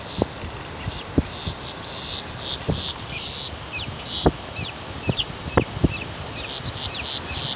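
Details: Boat-tailed grackle calling with sharp snapping clicks, harsh buzzy bursts and short high downslurred whistles, repeated irregularly against a constant noisy outdoor background.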